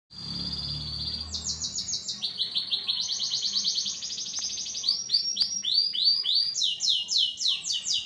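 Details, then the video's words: Agitated, noisy canary singing: bright high trills of rapid repeated notes, switching between several pitch levels, with a long steady whistle at the start and sharper chopped phrases later, many notes per second throughout. "LATAH AJA NI KENARI,MULAI GADUH..!!"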